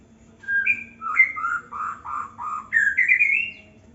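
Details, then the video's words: In an Indonesian aviary, a young white-rumped shama whistles a mellow phrase of about ten notes that steps downward, then climbs into a quick rising flourish, with a soft background hum. "murai muda aviary"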